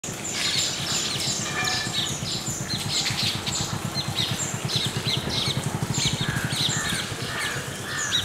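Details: A family of Indian silverbills chatters steadily, with many short, high chirps overlapping from several birds, over a low, rapidly pulsing engine-like rumble.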